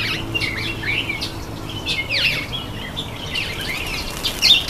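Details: Common (Indian) myna (Acridotheres tristis) calling while taking a bath: a loud, varied run of harsh squawks, chirps and quick whistled sweeps, with a faint low hum underneath.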